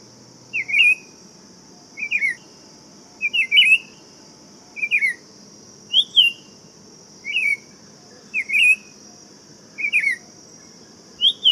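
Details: Buff-throated Saltator repeating short whistled two-note phrases roughly every second, some rising and some falling, with a steady shrill hiss running underneath throughout.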